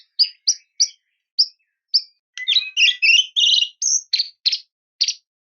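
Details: White-rumped shama in full song, used to lure and provoke a rival bird. Separate short chips come about every third of a second, then a dense run of mixed buzzy and whistled notes and sharp single calls.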